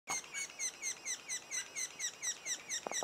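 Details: Sapsuckers calling at the nest two days before the first young fledge: a steady run of sharp down-slurred chirps, about two each second, with a few soft knocks near the end.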